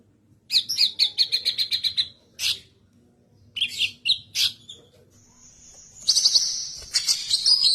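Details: Cucak kinoi, said to have a loud, melodious voice, delivering a fast trill of high repeated notes, scattered sharp chirps, then a long bright whistle that breaks into buzzy, harsh twittering.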